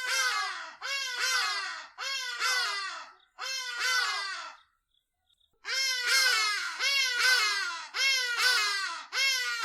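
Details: A Hadeda ibis (Bostrychia hagedash) in southern Africa gives loud, harsh, braying calls, each under a second long, in quick runs of three or four with a short pause between runs.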